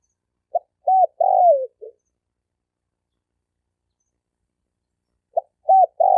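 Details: Male spotted dove cooing to draw in females and wild birds, 2020. A full phrase of a quick pip, a rounded coo, a long sliding croon and a soft low tail note, followed by the start of a second phrase. Otherwise quiet.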